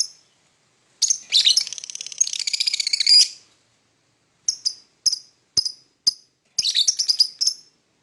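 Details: Lovebird singing in the morning, opening with a single chirp, then a long rattling twittery burst lasting two seconds, followed by scattered sharp chirps and a final chattering flurry.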